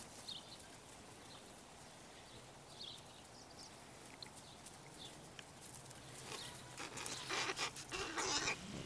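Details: Late-season young crows, an unusually large brood gathered at a zoo window, bickering and squabbling as a rowdy gang; after a quiet start, a string of harsh, rasping calls comes in quick succession near the end.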